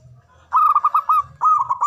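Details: Local zebra dove giving a loud, strong-voiced manggung song: after a brief quiet start, a rapid run of rolling, arched cooing notes, a short pause, then a second rolling burst.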